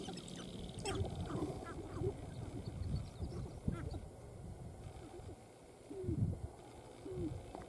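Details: Sharp-tailed grouse on their dancing ground give low clucks, cackles and short arched coos, mixed with soft rattling and stamping, against a steady low rumble.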